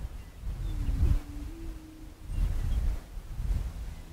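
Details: Prairie chicken uttering one low, droning hoot with a short blip, partly buried under gusty low-pitched rumble and wind noise.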